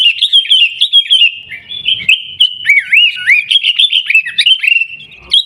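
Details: Sooty-headed bulbul performing 'Gaya Garuda' song in Pidie, Aceh, Indonesia: a continuous stream of fluty whistles, some deeply curved and dipping, delivered briskly with little pause.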